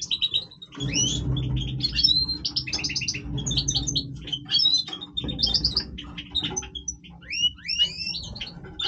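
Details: European goldfinch, Major type, singing in breeding condition: a sustained, rapid, varied twittering song of chirps, slurred upward whistles and tinkling trills, with light background hum.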